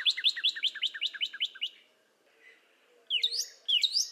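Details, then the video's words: Northern cardinal song: a quick run of repeated slurred notes, then a short gap and sharp upward-sweeping whistles, with faint low background hum. "Northern Cardinal Bird Sound"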